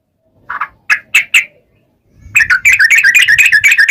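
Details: Long-running yellow-vented bulbul song, played to make other bulbuls answer: a few scratchy squawked notes, a pause, then a fast stream of bubbly chattering phrases.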